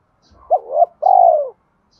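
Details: One phrase of spotted dove cooing, used to stimulate decoy birds in training: a short hoot swooping up into a second rising note, then a longer, mellow coo that gently falls away.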